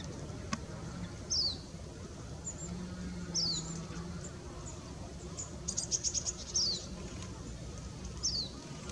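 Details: Oriental greenfinch, recorded 12 January 2017, giving high, thin, quickly falling call notes about every two seconds, with a few short chips between, over a low background hum.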